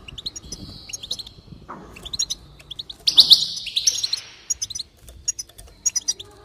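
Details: Goldfinch song meant to spur singing: scattered chirps, a short lower slurred note, then a loud buzzy trilled burst mid-clip followed by sparse tinkling notes.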